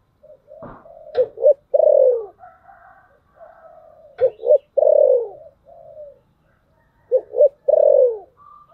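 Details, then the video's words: Spotted dove used as a decoy, its 'thổ sấm' style of cooing meant to pull in wild doves. Three repeats of two brief coos and a long, deep, sliding coo. Softer murmured cooing and a few clicks come between them. "Cu gáy Giọng thổ sấm/ Tiếng cu mồi thúc bổi"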